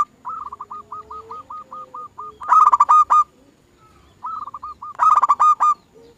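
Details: Zebra dove song serving as a lure to make other doves sing: a soft series of evenly spaced coos accelerates into a loud, rapid cluster of cooing notes, and the whole phrase then repeats.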